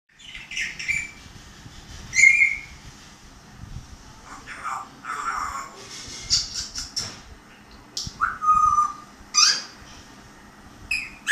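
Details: Grey parrot talking, giving a string of varied squawks, whistles and speech-like bursts, including a sharp rising note near two seconds and a clear whistled slide near eight seconds, with a low steady background hum.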